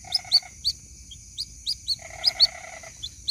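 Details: Calls of a white-breasted waterhen chick seeking its mother: short, high, upward-sweeping peeps alternate with rasping, buzzy trills, and a faint steady high tone sounds throughout.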